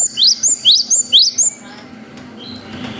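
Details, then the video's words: Cinereous tit in lively song, used as a lure so young birds respond: a tight run of six crisp, upward-sweeping high whistles lasting about one and a half seconds, followed by quiet hiss. "GELATIK BATU GACOR WUCIT PANJANG"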